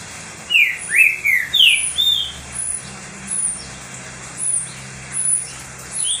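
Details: Green-winged saltator, a pet bird singing heavily to fire up other saltators, gives a short burst of clear whistled slurs near the start, then high thin chirps repeat against a steady hum.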